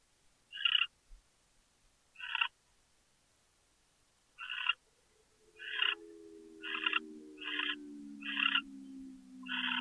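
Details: Captive owl chittering in Chula Vista, California, on the evening of 23 January 2013. Brief raspy chitter bursts quicken from spaced notes to a steady run, over a gliding low tone that slowly falls.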